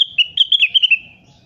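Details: Crested partridge, locally called rengganis, calling actively for a tutoring recording: a quick run of about seven high whistled notes over roughly one second, gently falling in pitch and trailing off, with faint low rumble beneath.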